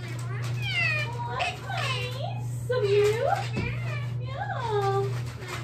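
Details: Pet Indian ringneck parakeet indoors giving a series of drawn-out, wavering whistled calls that swoop up and down, several in a row, over a steady electrical hum and a person speaking.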